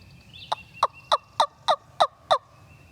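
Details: A wild turkey gobbler in Tennessee timbered woodland, on a spring hunting-season morning across a creek, gobbles back to a hunter's call: a fast, rattling burst of about seven throaty notes, roughly three per second, over a faint hum.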